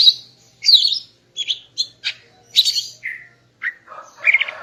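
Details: Morning singing by a female greater green leafbird to bring a male into breeding mood: rich chattering whistles, down-slurred notes and a closing buzzy burst.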